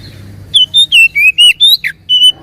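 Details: Oriental magpie-robin song used as a lure to get a reluctant bird singing: after a quiet start, a fast run of loud, clear whistled notes that step up and down, ending in a downslurred note and a final level whistle.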